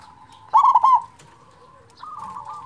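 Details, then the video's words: Local zebra dove with a big voice, used as a lure to stir quiet doves into singing: one loud burst of rapid, rolling, stuttered coos, then a softer trilled coo phrase after a short pause. "perkutut lokal suara besar cocok untuk pancingan perkutut malas bunyi"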